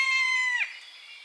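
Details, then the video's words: A single short buzzard mew in its natural habitat, level and harmonic for half a second before bending down into a quick falling slur, then fading into quiet background. "Buzzard Sound | Hear the Wild Call of a Majestic Bird of Prey"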